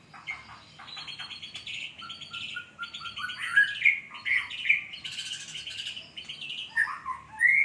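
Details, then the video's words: White-rumped shama singing a mimicry-filled song with lovebird and sparrow sounds: dense, varied phrases of buzzy trills, short whistles and chattering notes, with a low background hum throughout. "muray hutan isian Love bird & grejaan"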